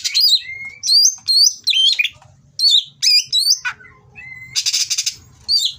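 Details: Oriental magpie-robin, captive in Indonesia, giving mating song to provoke rivals: bursts of looping whistled phrases with sharp upslurs, a long level whistle, then a harsh buzzy rasp and a final whistle.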